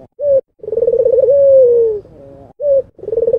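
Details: Low coo from an albino Barbary dove. A brief note leads into a throbbing, rolling coo that stretches into a drawn-out, gently descending tone, then another short coo follows.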